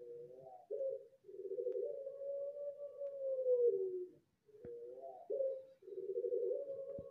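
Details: Pelung turtle dove from a competition bloodline in Central Java, Indonesia, sings a top-class contest rhythm. Long drawn-out low coos, one sustained for nearly three seconds, are each preceded by a short wavering note.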